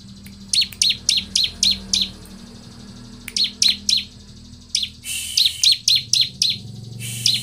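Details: Bar-winged prinia song used as a lure to set other prinias singing, with sharp high chirps in quick bursts of three to five notes, pausing between groups; a low hum runs underneath.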